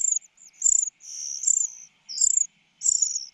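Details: Common cuckoo chick calling for food from its foster mother bird. High, piercing squeaky notes of varied length, some drawn out and slightly falling, separated by brief silences.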